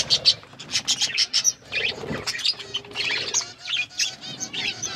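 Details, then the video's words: Pet budgerigars at their food, chirping in quick bursts of bright, high, clipped notes that rise and fall in loudness every half second or so, over a faint low hum. "Birds eating food budgies chirping sounds"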